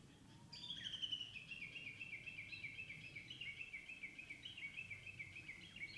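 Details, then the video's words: A Japanese bush warbler in the countryside in spring, singing as it does only in the breeding season, gives a long, rapid run of high, chattering notes that step slowly downward for about five seconds, over a low background rumble. "Song of spring - Japanese Bush Warbler"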